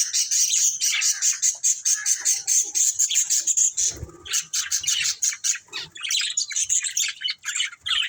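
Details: Budgerigar breeding pair chattering continuously: a bright, high buzzy warble with a steady piping tone running through the first half, then choppy bursts of squeaky chirps.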